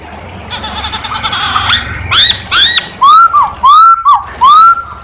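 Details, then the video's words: Masked laughingthrush in full song: after a harsh, scratchy opening come five loud, clear whistles, each rising and then falling, delivered at about two per second. "Poksay hongkong gacor kicau poksay hongkong gacor mp3"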